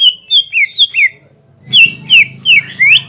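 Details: Greater green leafbird giving rival-provoking song: clear downslurred whistles in two quick series of four, separated by a short pause, with a low hum under the second series.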